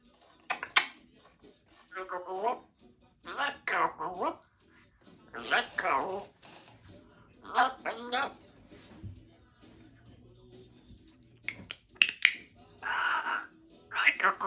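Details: A pet grey parrot chatters in short bursts of speech-like babble with clipped whistles between, pausing for a second or two at a time in a quiet room on an afternoon.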